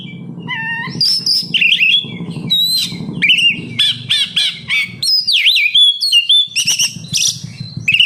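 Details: Captive oriental magpie-robin singing as a lure for other kept birds: busy mix of whistles, wavering slurs and quick repeated chirps, with a noticeable low rumbling hum behind.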